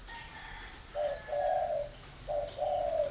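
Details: Spotted dove kept at a bird farm in Ba Vì, Hanoi, northern Vietnam, delivering two mellow coo phrases, each a clipped note and a longer falling one, with a continuous high cricket whine behind.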